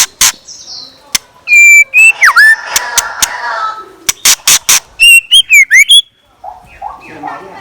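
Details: Scarlet minivet used as a decoy bird, singing in the morning: loud clear whistled notes, some flat and some swooping down then up, mixed with sharp broadband clicks and short buzzy bursts.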